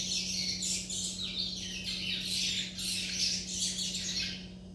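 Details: Churrilhando, the rambling practice song of young caged chestnut-bellied seed finches: busy, overlapping high chirps and scratchy squeaky notes tumbling without pause, with a constant low hum beneath.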